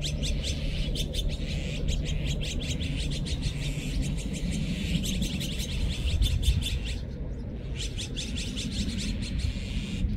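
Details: Chattering flock of Azure-winged magpies: clustered volleys of sharp, raspy chirps separated by short gaps, set against a low continuous rumble.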